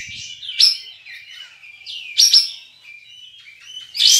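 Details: Caged Olive-winged bulbul (kapas tembak) from Singkawang, West Kalimantan, for an online contest. It gives soft warbled whistles punctuated by three loud, sharp chirp bursts spaced about one and a half seconds apart.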